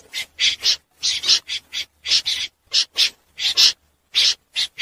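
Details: Common snipe night calls, used by net trappers as a lure: short, abrasive rasps, mostly in pairs, separated by clear silences, about a dozen in five seconds.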